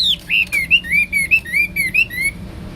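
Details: Hwamei (Wambi) singing: a steady series of about nine short, clear, slurred whistles, each bending up or down, delivered quickly and evenly, then trailing off.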